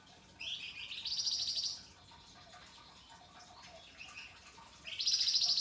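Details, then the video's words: Flamboyan bird singing in an energetic masteran recording described as long-running, coarse and sharp with a crystal-clear voice: a buzzy, rasping high trill lasting over a second, a quiet pause, then another harsh trill begins at the end. "Top Masteran Flamboyan Gacor Dor Ngebren, Mbeset Kasar dan Nembak Tajam Suara Kristal"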